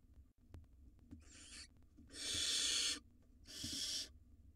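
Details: Wild barn owl nestlings in their nest box, two swallowing rodents simultaneously; a faint short hiss, then two strong rasping screeches of under a second each, with scattered clicks and taps between.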